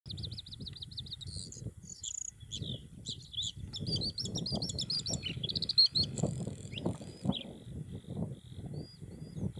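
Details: Bluethroat filmed in June 2021, a varied rapid song of high trilled, buzzy and whistled phrases with repeated rattling notes and sharp chirps, over steady low rumbling wind or handling noise.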